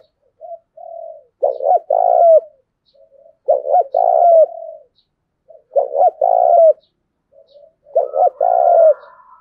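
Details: Spotted dove cooing to stimulate and train decoy doves: four phrases, about two seconds apart, each with soft low introductory notes and then two or three louder, mellow, slightly descending coos, in a quiet background.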